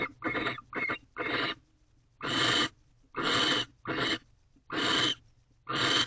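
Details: A male barn owl in a nest box at 6:11 am, 19 March 2023, keeps pressing a new rodent on the female. Noisy, wheezy screeches come about once a second, some with a faint whistled edge, and quiet pauses fall between them.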